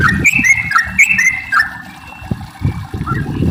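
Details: Yellow-vented bulbul song used to coax other bulbuls into singing: a few rich, slurred whistles at first, then fading to scattered notes among low thumps and knocks.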